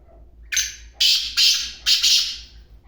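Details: A black francolin gives one rasping call phrase. A lone harsh opening note is followed by four more strident, buzzy notes in quick pairs, and the quiet background is otherwise almost still.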